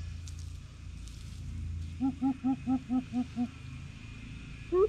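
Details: Greater coucal in a territorial challenge, giving a run of seven deep, hollow hoots, about four a second, then starting a new rising note; faint background hum underneath.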